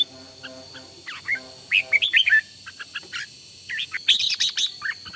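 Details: Red-whiskered bulbul decoy bird in voice training for morning singing, giving short bursts of bright, warbling whistled notes in quick runs, over a steady buzzing hum with layered low tones and a thin constant high whine.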